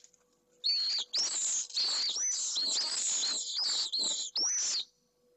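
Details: Pallid swift, a nesting male in a box colony at Jerez de la Frontera, Spain, driving off an intruder from the nest with a new egg; a rapid series of loud, shrill, rasping screams with rising whistled starts.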